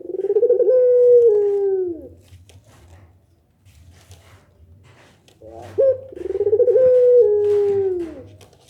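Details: Two pelung nangguk coos from a Barbary dove, a call said to prompt replies from other doves, each opening with a rolled, throbbing phrase and ending in a drawn-out descending tone, separated by a quiet gap with faint humming.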